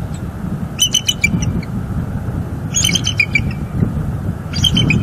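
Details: Bald eagle pair at their nest tree, Hamlet area of northeast Florida, filmed by a live cam on January 14, 2023: three bursts of high, thin chittering notes with falling squeals, over a constant low rumble of wind.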